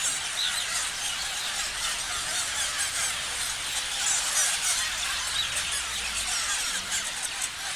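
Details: Dense parrot chorus with irregular chirps about three a second, plus a few clear thin whistles standing out above the squeaky, overlapping twitter.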